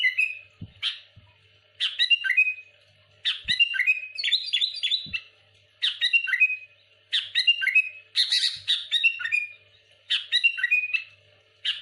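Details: Sooty-headed bulbul in busy, rival-provoking song: short bursts of harsh, squawky chirps and fast note clusters every second or so, with occasional soft knocks in between.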